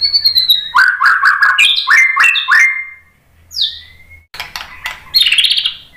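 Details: White-rumped shama song: clipped, stepped whistled notes in quick series, a sliding whistle, then a burst of bright high chattering phrases, with short pauses between sections and a faint low hum.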